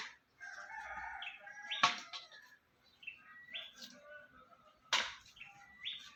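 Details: Free-living bird heard as calling "Jokowi... Jokowi": repeated whistled phrases ending in an abrupt upward pitch jump, mixed with two loud snapping thumps and softer rustling.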